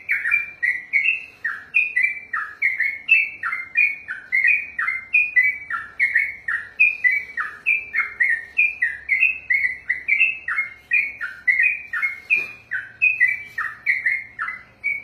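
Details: Extended ropel song of a sooty-headed bulbul, billed as exceptionally long: steady unbroken stream of chirpy, slurred notes rising and falling rhythmically for the whole stretch, with a faint low hum underneath.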